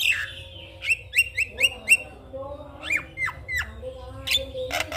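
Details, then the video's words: Javan myna morning lure song for rousing silent mynas: a buzzy falling note, then a rapid run of five sharp whistled chips, followed by three steep descending whistles and a harsh burst at the end. "Pancingan Burung Jalak Kebo Macet Bunyi Pagi Hari Akan Bikin Jalak Lebih Semangat"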